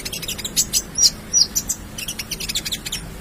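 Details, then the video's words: Konin, or ruby-cheeked sunbird, in lively gacor song packed with isian for bird tutoring: rapid high ticking notes mixed with a few brighter sharp chirps, dense and uneven. "Konin gacor full isian"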